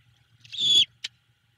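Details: Owlet of a great horned owl greeting its returning mother at a Savannah nest in the evening; one drawn-out high hissing screech followed by a brief sharp note, over faint low hum.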